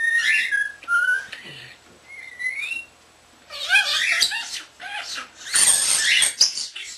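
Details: Common starling under a year old, kept as a pet indoors, whistling rising and falling notes, then switching to loud harsh chatter and hissy noisy bursts that recall mimicked mechanical or bird sounds.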